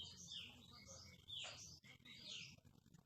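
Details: White-rumped shama of the Aceh type (murai batu Aceh), described as rare with a very melodious song; faint, high whistled and slurred notes, including a sharp descending sweep, over steady low rumbling background noise.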